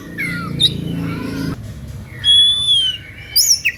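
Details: Oriental magpie-robin delivering an emotive song said to draw listening rivals into singing too; rough twittering first, then a long clear whistle held steady and a short burst of high notes.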